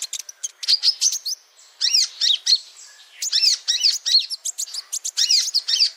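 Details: Male kolibri ninja sunbird song used as a tutor recording for cage birds: rapid high twittering chirps and sharp, bouncing notes in dense bursts, with brief pauses between phrases.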